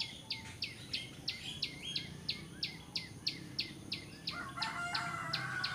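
A bar-winged prinia repeats sharp, high, downslurred chips about three times a second. A lower, drawn-out call, possibly a distant rooster, joins near the end.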